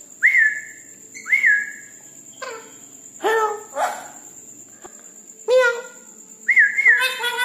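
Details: Red-breasted parakeet vocalizing at night mixes twisting whistled notes with harsh, nasal squawks full of overtones, given in bursts roughly once a second with short quiet gaps, over a faint constant high tone.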